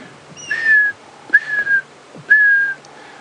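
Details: Wild African grey hornbill calling from the top of a marula tree at Djuma Game Reserve, South Africa, on a March 2016 afternoon: three drawn-out, clear, slightly falling whistles, each under half a second, spaced about a second apart.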